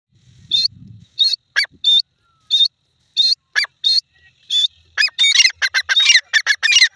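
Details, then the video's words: Grey francolin calling: a series of short, high, clear whistled notes spaced about half a second apart, then a faster burst of harsher, rising notes. "dakhni teetr ki awaz"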